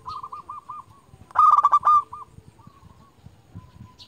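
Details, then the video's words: Zebra dove lure bird calling rivals: a run of soft evenly spaced cooing pulses leads into a loud rolling trilled coo, then quieter drawn-out notes, with low rumbling noise beneath. "Perkutut lokal gacor JUARA Pikat terbaik paling jago memanggil lawan"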